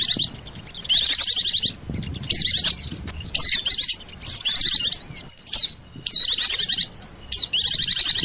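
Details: Lure recording of Oriental white-eye combined with sogon, meant to draw birds in: dense high-pitched chattering phrases of quick chirps and sweeping notes, each lasting under a second, separated by brief gaps.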